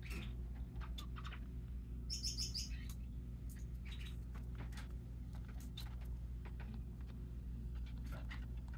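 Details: Hand-fed white zebra finch, recorded 21 December 2023, giving short, nasal, toy-trumpet calls and soft ticks over a steady low hum.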